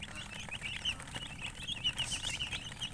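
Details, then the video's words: Many baby chicks chirping together: rapid, high, slightly rising peeps packed close, with several louder individual cheeps standing out above the steady chorus. "Baby "Chicks Chirping" Sound"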